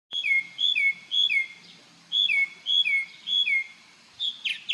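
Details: A bird singing in the morning on Marco Island, Florida, reportedly while dancing: clear whistled phrases, a high steady note then a lower down-slurred one, repeated in quick runs, ending with a few sharp chips.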